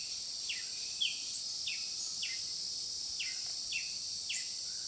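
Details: Violet-capped woodnymph (Thalurania glaucopis) at Rio Claro, São Paulo, 24 December 2013, giving short, sharp downslurred chips, about one or two a second, over a steady high hiss of insects.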